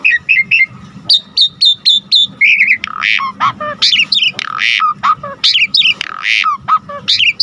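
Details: Asian pied starling singing gacor with full fill-in phrases: short whistled notes at first, then a jumble of harsh squawks, slurred whistles and chattering bursts, loud and varied, over a faint hum.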